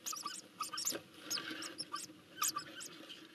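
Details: Eurasian hoopoe chicks in a nest in Nagyberény, Hungary, on 12 June 2024 give high, hissing, squeaky begging calls in quick irregular bursts, rising into a busy chorus as they are fed.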